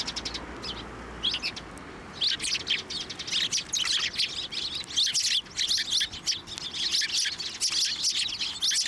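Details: Flock of sparrows crowding onto a hand to be fed at a Tenmangu shrine, 18 March 2024, with more sparrows around; dense, overlapping high chirps and tweets, sparse at first and then nearly continuous.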